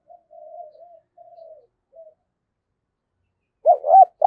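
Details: Spotted dove used as a decoy for trapping, giọng thổ style: soft wavering low notes at first, then after a pause a quick pair of loud, rough coos at the close.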